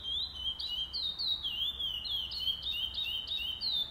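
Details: Chestnut-bellied seed finch (Sporophila angolensis) singing at a song tournament on 8 November 2020: a steady, unbroken run of clear, high whistled notes, each slurring up or down, about three a second, over a faint low hum.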